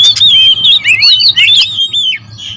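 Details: Agitated territorial oriental magpie-robins: loud overlapping whistles and swooping notes for about one and a half seconds, then a few fading chirps and quiet, a faint hum underneath.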